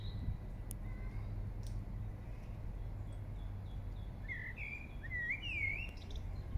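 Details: Song thrush in Regent's Park, London: a few faint notes, then in the last two seconds a burst of loud, clear whistled phrases sliding up and down, with steady low traffic-like rumble throughout.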